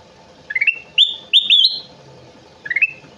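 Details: Kutilang emas bulbul singing vigorously: short rising whistled notes with quick stutters, then bright sustained whistles sliding upward, the phrase returning after a pause. A steady low hum runs underneath.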